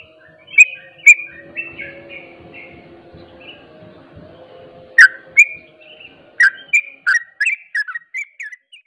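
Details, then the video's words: Ropel-style singing of a sooty-headed bulbul, said to excite other bulbuls to join in: clusters of bright, abrupt chirps and warbled notes, quickening into a rapid run toward the end, over a low steady hum. "SEMUA TRUCUK AKAN JADI EMOSI IKUT ROPEL BUNYI"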